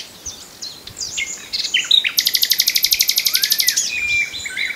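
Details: Common nightingale song: varied slurred and whistled notes build into a long, very rapid, even trill of about four notes per second spanning nearly two seconds, then fading whistles.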